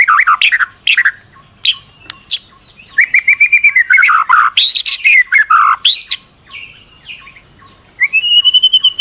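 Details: Lure song of a stressed white-rumped shama meant to draw singing from another bird; quick, jumbled phrases mixing sharp chips, downslurred whistles and a long wavering whistle, ending on a clear rising note.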